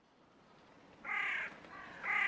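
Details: Great egret, known locally as Corvu ambiddarzu: two harsh, hoarse croaks, the first lasting almost half a second and the second following about a second later, in a quiet setting.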